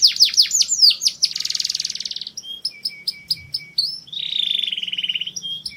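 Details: Mushti canary song meant to stimulate females: quick downward-swooping whistles, then a dense buzzy roll, sparse staccato chips, and a second lower, rattling roll.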